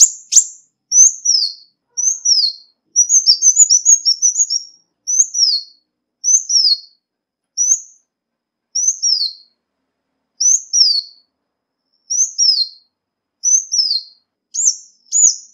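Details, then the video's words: Ruby-cheeked sunbird recording intended as a lure: very high, thin, sharply downslurred notes, mostly in twos or threes, repeated about every second, with a fast burst of rapid notes early on; clean, with no other sounds. "Tiếng chim Xanh tím mồi chuẩn"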